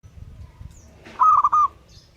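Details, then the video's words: Young Zebra dove of the Bangkok type, kept as a promising contest bird, giving a short burst of three mellow cooing notes after a second of low background rumble. "suara piyik perkutut bangkok, prospek juara"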